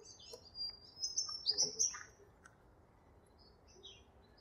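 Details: Owl finch, the double-barred or Bicheno finch, in an aviary: one long, high, thin drawn-out call with a buzzy, wavering middle, followed by a few brief faint chirps and quiet hiss.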